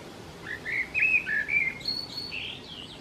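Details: At a Song Thrush nest with four young in extremely hot, dry weather, both parents fly back and forth to feed the nestlings. High, thin whistled chirps come in a quick irregular series, some short and rising, others longer.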